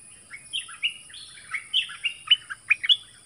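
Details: Nok dok taeng kept as a decoy bird, duelling in 'double' song with wild birds that came twice. It sings a quick run of varied whistled notes, some rising, some falling, in short bright phrases over about three seconds against a quiet background.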